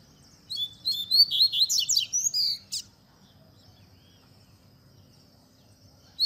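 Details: Double-collared seedeater in tui tui zel zel style, a song for teaching young birds: a quick string of high whistled and slurred notes with steep downward sweeps over about two seconds, followed by quiet background.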